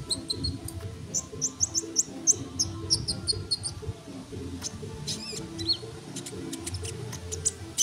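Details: Energetic sunbird singing in a tutor recording for songbirds: a brisk string of high, clipped double-pitched pips for a few seconds, then sparser clicks and a brief twisting note, with a low background hum throughout.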